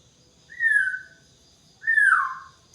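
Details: White-rumped shama in the morning dew giving two clear whistled notes, each sliding downward and lasting about half a second, with a pause of about a second between them over a faint steady hum.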